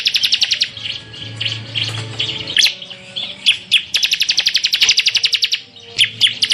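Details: Semi full tembakan song of the bar-winged prinia, locally ciblek, recorded as masteran: bursts of rapid high-pitched chirps alternating with quieter warbles and a few isolated sharp notes.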